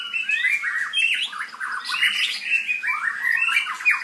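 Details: White-rumped shama, a newly acquired young bird, giving a dense jumble of harsh scratchy notes and rising-falling warbled phrases, continuous and rather squawky, with no other clear sounds.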